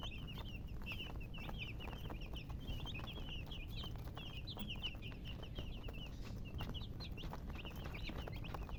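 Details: Young chicks keep up a constant stream of shrill, short peeps, some rising, some falling, in overlapping runs with brief gaps, over faint clicks and low rumble.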